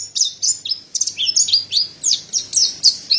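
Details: Mountain white-eye (white-breasted white-eye, Montanus) giving a fast song of sharp, high whistled notes. Each note is a quick downward or upward slur, delivered about four per second in an irregular, chattering sequence.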